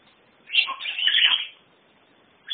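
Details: Pet African grey parrot, which says Norwegian words such as "God jul" and "hallo", gives a harsh, hissing, speech-like burst lasting about one second, followed by a short fragment, over faint room hiss.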